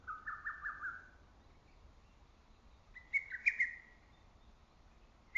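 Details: Lesser cuckoo calling among forest trees in early summer: two quick phrases of four or five staccato whistled notes, the first lower and about a second long, the second higher and sharper, with a quiet pause between them.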